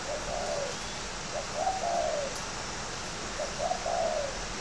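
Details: Spotted dove, a fighting bird, cooing: two groups of soft hollow notes, each rising into a longer wavering coo, against a steady hissy background.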